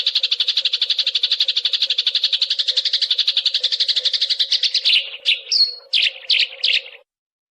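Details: Eurasian tree sparrow, quick clear-toned tutor song for songbirds: a long rapid chattering rattle breaks up into a few separate sharp chirps before stopping, with a constant low hum behind.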